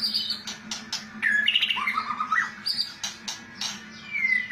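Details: White-rumped shama giving kretekan song favoured by judges: high whistles and sharp clicks, a tumbling trilled phrase that dips low, then more bright whistles ending in a long falling slur, with a faint steady hum.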